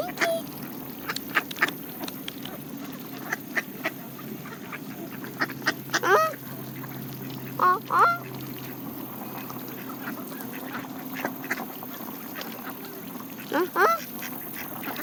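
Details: Canada geese and mallards feeding on seeds: three loud, nasal goose honks about two seconds apart, then a pause, over a low steady hum, soft pecking clicks and scattered mallard quacks.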